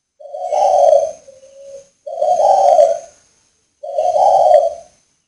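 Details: Spotted dove cooing, a male from a breeding farm in northern Vietnam: three low, rounded, hoarse coos about a second long each, spaced under two seconds apart, the first trailing into a softer tail note; little else heard.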